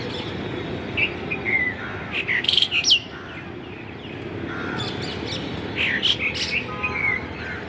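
A bulbul gives short bursts of bright chirps and quick whistled slurs, in two busy spells a few seconds apart, over a steady hiss of background noise.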